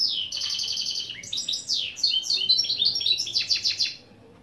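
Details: Mule hybrid of European goldfinch and canary giving lesson phrases: a quick trill, rising slurs and descending swept notes, then clustered chattering notes before stopping.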